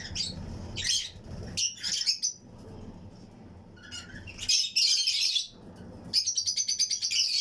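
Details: Fischer's and lutino lovebirds kept as breeding pairs in a colony aviary chirp with other birds around them; loud shrill squeaky chirps in bursts, then a rapid rattling series of high pulses at the end.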